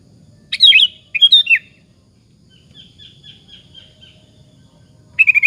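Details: Sooty-headed bulbul singing as a lure to make other bulbuls answer: two quick bubbly warbled phrases, a run of faint soft repeated whistles from farther off, then a fresh burst of rapid notes at the end.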